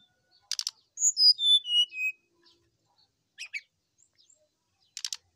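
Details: Lively full song of a sooty-headed bulbul, played to coax other bulbuls, including ones that have stopped singing, into calling. A rough buzzy trill opens, then a cascade of descending whistles, two short scratchy notes, and a final buzzy burst.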